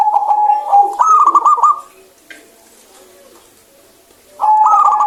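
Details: Local zebra dove giving its bright song: a steady coo running into a quick series of stuttering trilled notes, a quiet pause, then the phrase beginning again.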